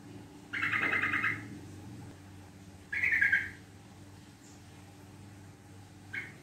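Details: Lure song of a Yellow-vented bulbul in the rapid, long-chattering style: two buzzy, fast-pulsed bursts roughly two seconds apart against a quiet background hum, then a faint short note.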